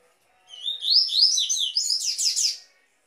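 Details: Tui Tui style song of a double-collared seedeater, played for training captive birds: one continuous burst of quick, high, downslurred notes that climb and speed up into a dense trilled ending, with nothing else heard.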